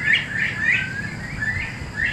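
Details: Captive quail in the hen (egg) house of a quail farm near Sconyersville, Alabama, giving short, bright, slightly rising chirps, five or six in two seconds, over a low background rumble.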